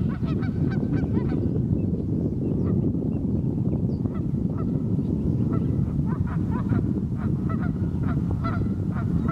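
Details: Honking geese on a frigid morning on the Pend Oreille River, North Idaho; bursts of overlapping nasal calls come in uneven clusters, thinning mid-way, over constant low-frequency noise.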